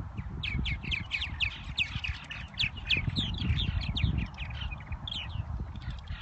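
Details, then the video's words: A flock of purple martins chatters continuously in spring at Irving Park by Lake Michigan, Chicago, with rapid gurgling and chirping notes tumbling over one another, and deep rumbling noise underneath. "Purple martins in spring in Chicago"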